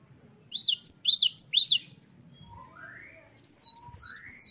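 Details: Great tit in lively 'wucit-wucit' song for training caged birds. Two bursts of high, arching whistled notes, about four each, framing a pause filled with softer rising whistles from another bird.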